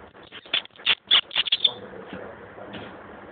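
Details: A very tame European robin living alone in a garden centre gives a brief burst of thin, high, sweet notes, about six quick chips and trills, then falls quiet over a low indoor hum.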